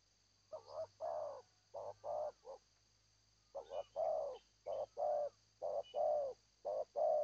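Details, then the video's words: Zebra dove singing a long run of rapid, bubbling coos in clustered bursts with short pauses between phrases, mid-pitched and rolling, with a few faint high chirps from other birds. "Amat Terkukur- Seladang Jati suara pehhh mantap"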